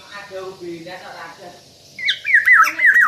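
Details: Black-naped oriole giving a run of quick, wavy whistled notes that rise and fall, following a stretch of human speech in the background.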